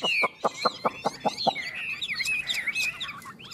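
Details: Two Chinese hwamei from Tuyen Quang, Vietnam, in a singing contest, sizing each other up: a run of about eight sharp, evenly spaced clucking notes, then rich, rolling whistled phrases that rise and fall.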